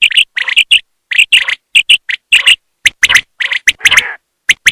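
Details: A female common quail calls during a 2023 quail hunt. Quick paired chirping notes come in rapid bursts, roughly two per second, with occasional harsher rasping notes mixed in.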